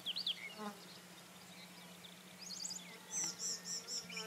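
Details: Rufous-tailed scrub robin song: a sharp high whistle and short buzzy trill, a pause, then a quick twittering flourish and a run of five clear, evenly spaced high notes, over a steady low hum.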